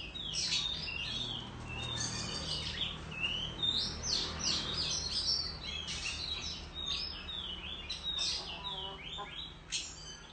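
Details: Competing Oriental magpie-robin with fanned tail in the countryside, a long jumble of sharp chirps, clicks and whistled notes, busy and varied, over steady low rural background hum.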